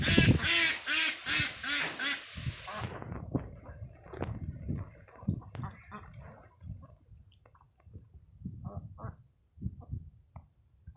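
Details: ['Ducks at a pond, a mix of Mandarin ducks, mallards and Pekin ducks: five loud, nasal, honking quacks in a quick series open the clip, then softer scattered calls, clicks and splashing noises follow.']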